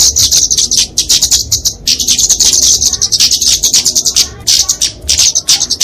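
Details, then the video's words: Flowerpecker (kemade, genus Dicaeum) fighting song, used to train and lure small songbirds: very high, thin chittering and buzzy twittering in dense rapid bursts with brief gaps, continuous and loud throughout. "Kicauan Kemade Tarung Untuk Masteran&Pikatan Burung Kecil!"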